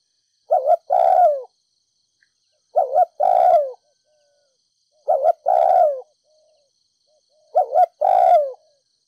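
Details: Urging 'thúc gù' cooing of a Ninh Thuận spotted dove, used to excite decoy doves. Four phrases come at steady intervals of about 2.4 seconds. Each is a brisk double note then a long downward-sliding coo, and the recording is otherwise quiet.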